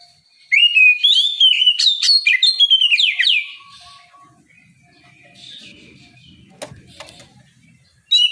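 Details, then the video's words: Oriental magpie-robin in the morning, delivering ngeplong song to bait rivals: three seconds of rich, rising and falling whistles with sharp clicks, followed by quiet faint rumbling and one sharp tick before a new phrase begins. "Kicau suara burung Kacer ngeplong memancing lawan di pagi hari, sekali dengar langsung nyaut!"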